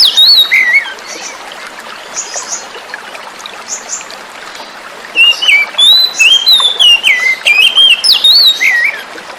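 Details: Oriental magpie-robin, caught in the forest, singing to stimulate silent kacer: a short burst of whistles, then several seconds of flowing water with faint chirps, then a lively run of loud, varied whistled phrases.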